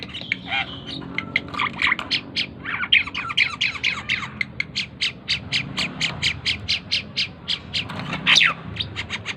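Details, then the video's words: Tame Asian pied starling in an extended, energetic song of rapid, clicking, chattering notes and raspy squawks, rhythmically repeated, with a louder harsh burst near the end. "burung jalak keling gacor dor // burung cucak keling jinak gacor"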